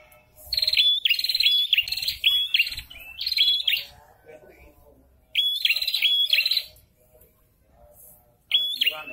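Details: Prinia (prenjak kepala merah) in breeding condition, male and female calling back and forth: fast series of loud, sharp chirps with buzzy downslurs, in three separate bursts with quiet gaps between.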